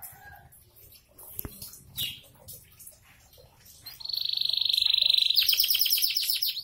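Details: Canary in 'bocor' continuous singing style: after several seconds of faint scattered noises, a steady high buzzy trill starts, then breaks into rapid repeated sweeping notes.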